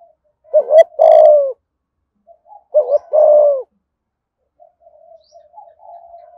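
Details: Spotted dove from Dong Nai, Vietnam, in "thổ" voice: two loud phrases two seconds apart, each double note plus falling coo, followed by a run of softer low cooing.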